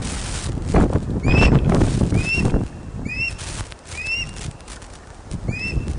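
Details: Osprey nest at Loch of the Lowes, Scotland, filmed by webcam on 31 August 2013 at 16:39 during a large fish delivery. Short rising whistled chirps come in pairs and singles, with thumps and wind noise around them.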